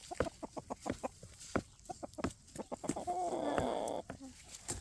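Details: Pekin bantam hens in a backyard breeding pen, on hard soil in hot weather, cluck in short, irregular bursts, about three a second, with a louder sustained squawk near the end; a person speaks faintly.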